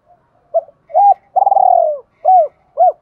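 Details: Spotted dove cooing, played to provoke wild doves and train decoy birds: low mellow coos, a long rolling purring coo in the middle, then two short rounded coos. The phrase is clear with no background noise.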